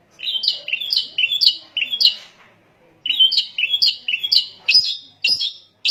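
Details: Long-tailed shrike (cendet) song used to provoke other shrikes into singing: harsh chattering notes repeated in quick bursts, with a short pause midway.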